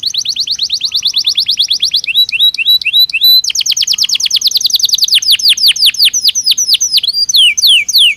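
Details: Belgian canary singing naturally as a daily stimulus for trainee canaries; long rolling trills of rapid high notes alternate with short looping phrases, ending in a series of down-sweeping whistles.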